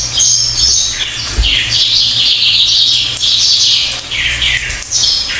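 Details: Pied fantail song: a run of bright whistled notes, high-pitched, rising and falling in short wavering phrases with brief gaps, over a steady low hum.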